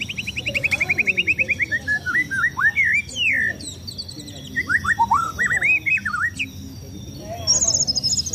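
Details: Contest-ready caged white-rumped shama sunbathing: a fast run of stuttering repeated notes slides into loud looping whistles that swoop up and down, a short break, more swooping phrases, ending in a high trill.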